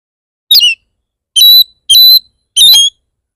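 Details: Oriental magpie-robin lure song meant to make other magpie-robins start singing: four loud, separate whistled phrases about half a second apart, each a sharp, ringing note with quick pitch slides.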